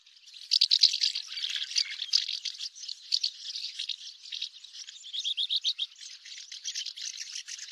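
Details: A common house martin (Delichon urbicum) gives a dry, rapid, chirruping twitter, a steady run of scratchy high notes with brief louder bursts, and no other sounds intrude.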